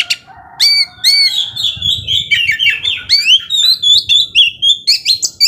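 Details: Oriental magpie-robin singing ngobra style to provoke slower rivals, opening with rising whistles and then a fast run of repeated chipping notes, nearly two per second, over a faint low hum.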